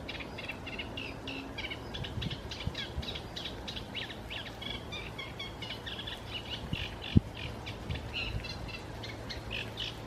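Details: Eurasian reed warbler song recorded 25 July 2016 in Bieslandse Bos. A continuous grating chatter of short notes repeated two or three times before shifting pattern. A low rumble sits underneath, and a sharp knock sounds near the seven-second mark.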